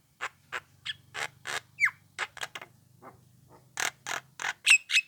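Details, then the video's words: A young Javan myna gives lure calls meant to provoke a response from other mynas. Harsh, broadband, rasping notes come in a loose series about four per second, with a few short whistled, downslurred notes and a faint low hum beneath. "HANYA SEBENTAR SEMUA JALAK KEBO AKAN RESPON DENGAR SUARA PANCINGAN JALAK KEBO MUDA INI"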